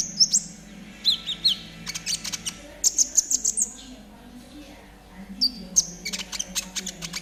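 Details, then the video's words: Trotol-style konin song for training caged birds: clusters of sharp high ticks and brief whistled notes in quick runs, pausing around four seconds before resuming, with a soft low murmur beneath. "TERAPI KONIN TROTOL AGAR CEPAT BUNYI || MASTERAN KONIN TROTOL GACOR"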